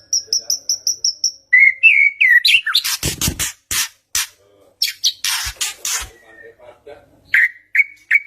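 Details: White-rumped shama lure song meant to draw a reply from a quiet bird: it opens with a series of high even piping notes, then slurred whistles and bursts of harsh, scratchy clicks.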